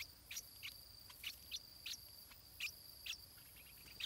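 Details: Nestling stripe-throated bulbul at feeding time. Sharp, high chirps fall in pitch and come in an uneven series, roughly two per second, over a faint steady hiss.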